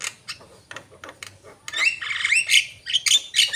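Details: Asian pied starling, a lively singing bird: soft clicking notes build into loud, harsh squawks mixed with whistled, rising and falling phrases.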